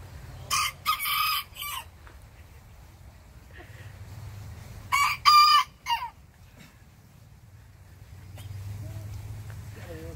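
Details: Little bantam roosters answering the big rooster next door, with two separate high, harmonic three-part crows several seconds apart, quiet pauses between them and faint low background rumble.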